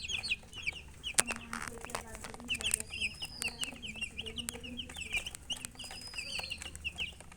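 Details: Chicken chirping, quieter and more distant: repeated high peeps in loose clusters, a few drawn-out whistles, low clucking notes and sharp clicking knocks throughout.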